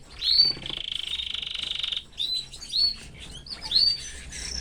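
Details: Canary kept in a cage with its family, giving an upward-swept whistle, then a long steady buzzy trill, followed by several separate rising whistled notes.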